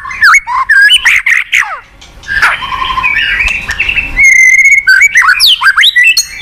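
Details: White-rumped shama, a caged songbird, singing as a lure to get a silent bird going: quick varied whistles and downward slurs, a rougher scratchy passage, then a long clear level whistle followed by fast twisting notes.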